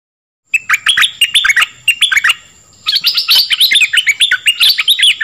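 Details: Song of the dok taeng bird, used to train young birds and rouse them: fast strings of bright, slurred chirps, a brief lull, then a denser, higher run of rising and falling notes over a faint constant high tone.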